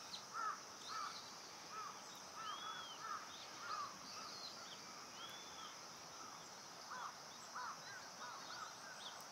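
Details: Indian pratincole recorded on Amami Oshima, Japan: clusters of brief, curved chirping notes, most at mid pitch with a few higher arched ones, set against constant shrill insect noise.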